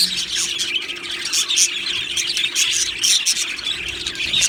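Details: Happy Australian budgies in an aviary colony, many birds chattering at once: a dense, continuous wash of high, scratchy chirps and squawky notes with brief louder bursts, no pauses.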